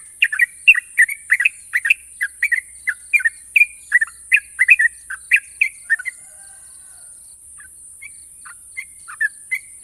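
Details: Champion Sooty-headed bulbul delivering long, sharp trills: a dense burst of rapid bright chirps for about six seconds, then sparser single notes, with steady background hiss.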